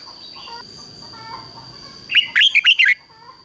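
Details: Red-whiskered bulbul used as a decoy bird, singing to lure wild bulbuls; after two quiet seconds a single loud burst of four or five quick whistled notes around the upper-middle range, with a steady faint tone throughout.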